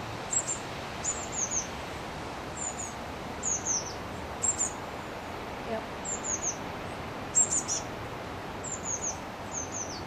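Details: Eurasian blue tit nestlings, numbers five and six, leaving their nest box in Partille, Sweden, on 12 June 2010: very high thin descending peeps in short clusters about every second, with people talking quietly nearby.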